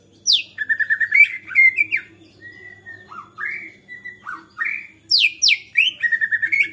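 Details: White-rumped shama in agitated song that can trigger other shamas to sing; stuttering trills, slurred mellow whistles and steep high downward sweeps, a rich varied sequence with brief quieter notes in the middle.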